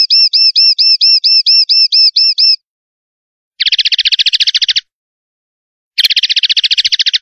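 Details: A male common linnet sings a fast series of bright, repeated twittering notes, then two rapid buzzy trills, high-pitched and clean with no other sounds.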